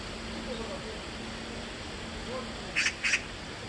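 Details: Magpie crying twice near the end, two short harsh rasping bursts about a third of a second apart, over a steady low background hum.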